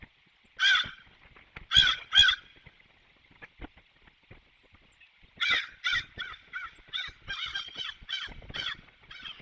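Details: Crow recorded in Savannah on 27 October 2022, giving loud harsh caws: three spaced calls early on, then after a pause a rapid run of about eight to ten repeated caws, with faint background noise.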